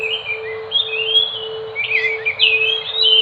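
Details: Enggano thrush (Geokichla leucolaema) of Enggano island, west of Bengkulu, giving drawn-out warbled whistles that grow into a denser, louder tangle of rising and falling notes, over a steady hum.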